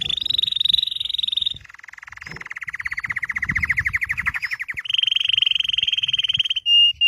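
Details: Red Belgian canary singing loudly: a steady high buzzy roll, then a lower, fast pulsing trill of evenly repeated notes, then another high rolling tour and a brief sharp note at the end.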